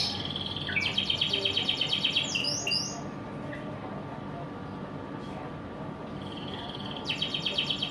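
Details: Canary in the morning singing a rapid, evenly pulsed rolling trill, then a few sweeping notes, a pause with faint sounds, and another trill resuming near the end.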